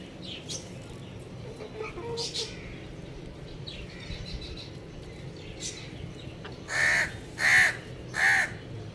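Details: Young rooster on a roof chirping: three loud, clear, even-pitched calls near the end, spaced about two-thirds of a second apart, after several seconds of faint scattered calls and low background noise.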